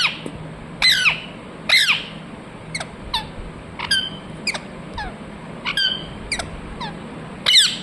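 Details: Shrill parrot chirps from a Ringneck parrot, a mix of loud screeches and softer, quick high notes scattered irregularly across the stretch, steady low hum behind.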